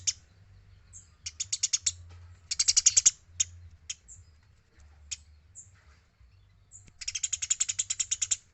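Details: Eurasian tree sparrow in a clean recording meant for training other birds, giving irregular rapid chirps that swell into a loud burst near the middle and a long run at the end, with quiet stretches between.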